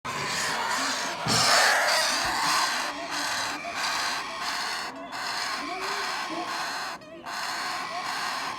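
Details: Several parrot chicks being hand-fed give a dense, harsh, raspy chorus of begging calls in rapid rhythmic bursts, broken by brief pauses around one, five and seven seconds.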